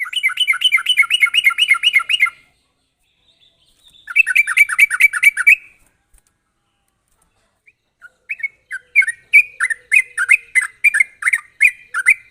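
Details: Sooty-headed bulbul in fast, sharp chattering song used to lure untrained bulbuls into singing: two dense bursts of rapid bubbly warbling separated by short silences, then a longer series of evenly spaced whistled chirps.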